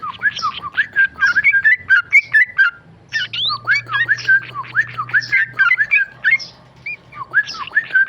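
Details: Tame male sooty-headed bulbul, a caged bird, singing dense phrases of looping whistles and chattery slurs separated by short pauses, with a steady low hum underneath.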